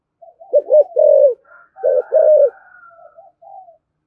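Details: Spotted dove 'thúc gù' coo, 'thổ' voice, meant to provoke wild doves: two low rolling phrases of stuttered notes and a drawn hoot, with softer answering coos and faint whistling around them.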